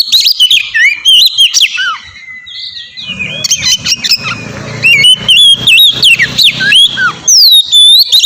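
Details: Oriental magpie-robin song used as a lure to provoke a reply from other birds: loud varied whistles with sweeping rising and falling notes and quick chirps, a brief low hum in the middle.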